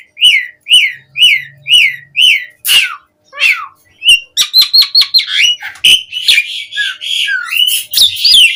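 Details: Asian pied starling song, used as a lure for starlings to sing actively: five evenly spaced whistled notes, two harsh squeals, then a fast stuttering series of notes building into dense, scratchy, whistled warbling.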